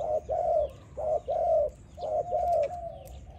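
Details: Spotted dove training song with paired soft coos, short then longer, repeated at an even pace, the last note trailing downward as it fades.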